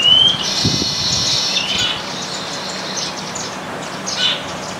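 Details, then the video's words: A flock of baya weavers eating grains together on a branch in a house garden in India, with white-throated munias and Indian silverbills, gives a steady, sizzling high chatter of buzzy chirps, a brief thin whistle and a few louder squeaks. "Baya weaver bird sounds"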